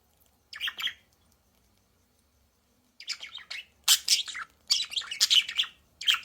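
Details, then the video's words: Budgerigars in a clamorous chorus: one chirpy burst, a silent pause, then increasingly dense overlapping twitters, warbles and squawks building over the last three seconds. "เสียงนกหงษ์หยก นกหงษ์หยก ร้องชัดเสียงดังระงม ประสานเสียง"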